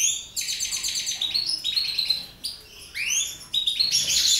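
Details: Mutation goldfinches in lively song: rapid rattling twitters and tinkling notes, broken by sweeping upward-arched whistles, with one short pause midway.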